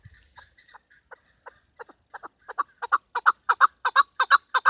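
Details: Female chukar partridge call used in hunting: a run of short, hoarse clucking notes that begin soft and sparse, then grow steadily louder and quicker, ending in a rapid, even chuck-chuck series of about three notes per second.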